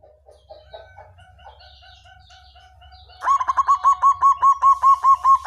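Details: Black variety of zebra dove singing: faint, scattered soft notes at first, then a loud, quick series of regularly spaced cooing notes, about two to three per second.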